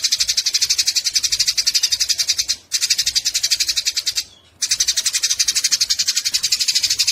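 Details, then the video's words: Eurasian tree sparrows in a fight produce rapid buzzy high chatter in three long stretches, split by two short quiet breaks. "Masteran burung gereja tarung"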